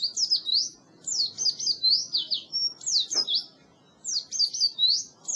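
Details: Training song of an Oriental white-eye for birds that have gone quiet: bursts of thin high slurred whistles separated by short gaps, a soft click near the middle.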